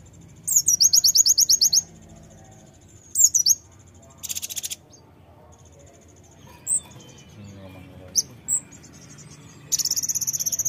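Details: Brown-throated sunbird song played to prompt birds to sing: a rapid high trill of repeated notes, a short squeaky phrase, a buzzy burst, scattered thin chips and a closing trill.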